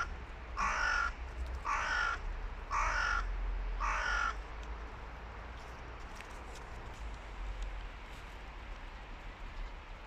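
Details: Hooded crows, adults fighting while young crows listen; four loud, harsh, drawn-out caws about one second apart, then only a steady low rumble of wind or background noise.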